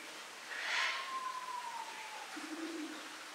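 Sulawesi ground dove: a long, slightly falling whistle, then a short low coo near the end, over steady background hiss.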